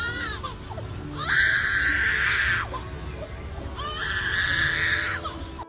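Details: A lyrebird, a mimic found only in the forests of south-east Australia, gives two drawn-out wailing cries like a crying baby. Each rises and then slides down, about a second and a half apart, over soft background music.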